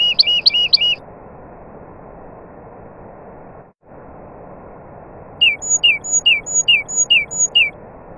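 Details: Nightingale song with other birds nearby: a fast burst of four looping, two-toned notes, a long quiet gap, then six clear down-slurred chirps at a steady pace, each trailed by a faint high whistle.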